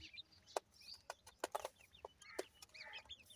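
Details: Partridge chicks at play: a few thin, high peeping chirps, some arched and some rising, between loud sharp clicks and taps.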